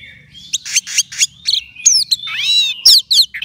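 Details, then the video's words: Orange-headed thrush, a caged contest bird being readied for competition, delivering a busy varied song of buzzy rasping bursts, quick chirps and looping whistled phrases that rise and fall in quick succession. "Kalau Sudah TELER Begini Anis Merahnya"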